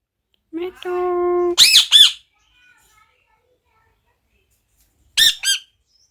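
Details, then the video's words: Pet parrot vocalizing indoors: a short voice-like sound, then a steady harmonic tone held about half a second, followed by two harsh squawks, a long quiet gap, and two more squawks at the end. "পাখিটা কি বলছে আপনাদের একবার শুনুন | parrot"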